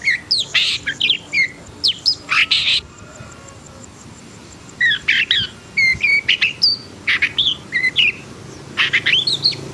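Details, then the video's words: Agitated long-tailed shrike singing two bursts of chattering song, quick whistled sweeps and harsh rasps, separated by a quiet gap of about two seconds. "KICAUAN BURUNG PENTET HITAM PUTIH & EMOSI"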